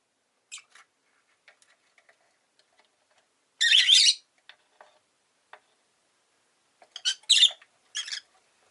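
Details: Chirping of a Rosy-faced lovebird: a loud, rough, screechy call, scattered faint ticks and clicks, then a cluster of three or four harsh chirps near the end.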